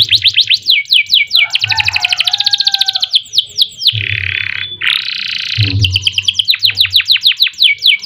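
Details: Caged canary singing a long, loud song meant as a master recording for training other birds: rapid downslurred whistled notes repeated in series, buzzy trilled rolls and dense rattling passages, with a faint low hum behind.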